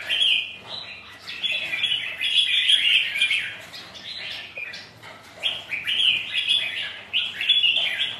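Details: Competing red-whiskered bulbuls sparring in wet, windy weather, a near-continuous stream of lively chirps and warbles that swells and fades in waves.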